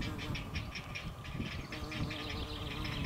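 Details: Week-old great blue heron chicks, three in the nest, struggling with a crawfish their mother regurgitated, recorded by a field camera: fast clattering series of high clicking pulses, steady and unbroken, above a deep continuous rumble.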